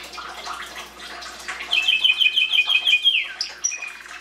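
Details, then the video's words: Soft twittering gives way to a canary's clear rapid trill of alternating notes, a falling slur, then a short high whistle and lower trill. "Canary singing"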